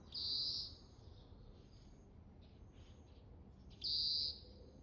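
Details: Repeated calling from an Oriental greenfinch: two loud, even, buzzing high notes about three seconds apart, with soft faint twitters between them over steady low background noise.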